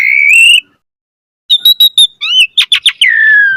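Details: Chattering gacor mompa song from an Asian pied starling, a master recording for training birds: a rising whistle, silence, then a quick series of high clipped notes ending in a long falling whistle.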